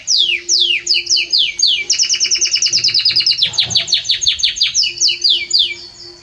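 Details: Belgian canary in strong, warm song: a few descending swept whistles, then a long fast trill of repeated short notes, with a faint steady low hum behind.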